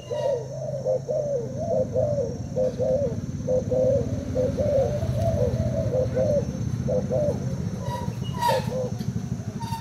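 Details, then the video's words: Spotted dove from Thailand, caged for two days, in a cooing duel with a decoy bird; runs of low hooting coos, slightly irregular, over a rumbling background and brief faint voices. "Cu gáy thailand đấu gù mồi trần"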